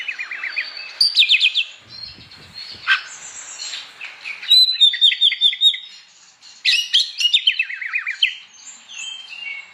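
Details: Oriental magpie-robin in full morning song meant to rouse other magpie-robins to sing; descending rattled trills, sharp upslurred whistles, rows of quick repeated high notes and a final falling trill sequence.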